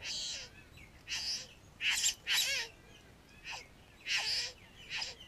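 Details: Satin bowerbirds at a bower on a neighbouring property, where a male keeps his bower and courtship takes place; recorded on a GoPro Hero 3. Loud, harsh, hissing buzzy bursts come in irregular bouts, with faint lower squeaky notes between them.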